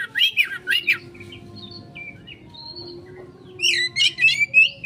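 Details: Kacer (Oriental magpie-robin) 'konslet' lure singing: quick chopped whistles rising and falling, a quieter stretch of scattered soft notes, then a loud sweeping whistled phrase with buzzy upper edges. Soft low hum.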